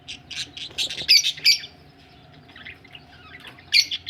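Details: Budgies ready for laying eggs give a burst of scratchy, high chattering and squawky chirps, then a quieter stretch of soft twitter, ending with a couple of loud sharp notes; a faint low hum underneath.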